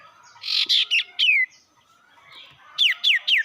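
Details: Sirtu bird sound played as a lure to anger rivals: harsh buzzy bursts, then clear downslurred whistles; after a short pause, three sharp descending whistled notes follow in quick succession.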